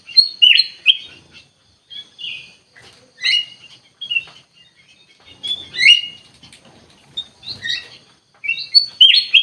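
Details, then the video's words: Bulbul, called kutilang emas, giving short bursts of liquid whistled phrases, each a quick two- or three-note cluster, separated by pauses of one to two seconds over a quiet background. "KUTILANG EMAS GACOR COR COR"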